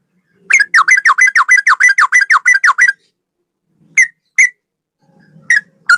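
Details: Male sooty-headed bulbul singing a tutor song in straw-headed bulbul style: a rapid run of about fifteen bright whistled notes lasting over two seconds, then a few isolated single notes with pauses.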